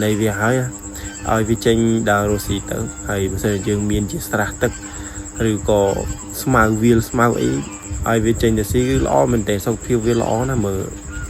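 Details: Penned domestic geese honking loudly together, restless to roam and forage: a dense run of overlapping rising-and-falling nasal honks, several per second, over a constant high-pitched insect-like drone and soft music.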